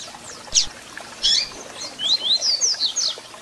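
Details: Double-collared seedeater song with calls, played to excite and warm up captive birds: scattered thin, high downslurred whistles and sharp chips, closing with a quick run of bright notes, over a soft hiss.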